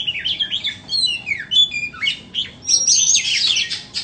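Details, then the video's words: White-rumped shama for sale sings sweet descending whistles in short groups, then a harsher chattering passage with bright, high-pitched flourishes. "Chích choè than bông"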